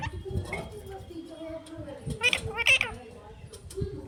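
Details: A pet parrot mimicking human speech utters two loud, harsh, speech-like phrases over a background of low murmuring voices and household noise.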